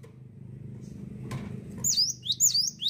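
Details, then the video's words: Low background rumble and a sharp knock at first, then a cinereous tit bursts into high, loud swooping whistles, four or five falling-rising phrases in quick rhythm. "GELATIK WATU GACOR NGETROLL"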